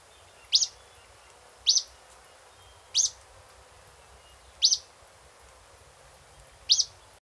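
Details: Acadian flycatcher (Empidonax virescens) in Cincinnati, Ohio, gives five sharp, high, emphatic 'peet' notes, one every second or so, against a faint background hiss.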